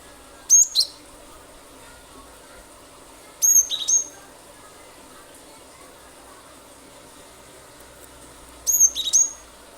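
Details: Cinereous tit singing loudly in a lure recording meant to prompt other birds to sing: three short bursts of very high, sharp whistled notes with quick downward-sweeping chirps, spaced about three to four seconds apart over steady low background hiss.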